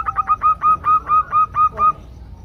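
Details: Zebra dove, a female calling the male. About ten crisp, rhythmic cooing notes run in a quick regular string on one pitch, each sharply attacked, then fade into faint background hiss.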